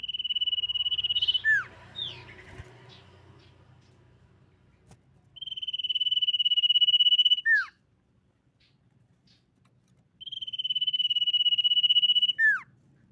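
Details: Common iora singing, used as a lure to draw other ioras into song: three long, even, high trilled whistles, each about two seconds, each ending in a sharp downslurred note, repeated roughly every four to five seconds. Faint low background hum.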